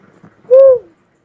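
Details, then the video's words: A single smooth, low whoo from a cuckoo-dove, swelling and then sliding slightly downward, preceded by faint rustling. "suara burung uncal asli"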